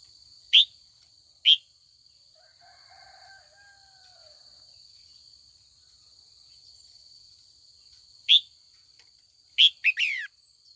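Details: Afternoon calling by a trained female red-whiskered bulbul to provoke old wild males into contest song: paired sharp chirps, faint lower whistled notes, then more rising chirps ending in a rapid triple, all over a steady shrill hum.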